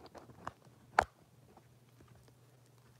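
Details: A quiet indoor room with a few soft taps and clicks, and no animal voice heard.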